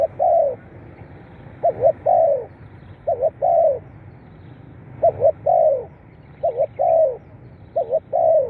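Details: Spotted dove cooing, played to stimulate captive birds: low, hollow phrases of a quick stuttered double note followed by a longer rolling coo, repeated about every one to one and a half seconds with a pause midway, over faint low background rumble.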